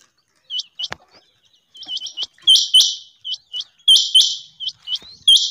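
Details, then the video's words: Soft high ticks build into loud, ringing doubled notes from a rain quail, repeated twice in quick succession. "اسپیشل چنڑگا کی لاجواب آواز 2023/Rain quail ki awaz"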